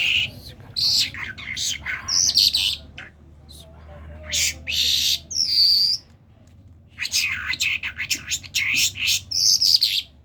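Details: Common myna from Kerman, a talking bird, delivers loud grating bursts and a pure whistled note, pausing briefly before resuming varied chatter.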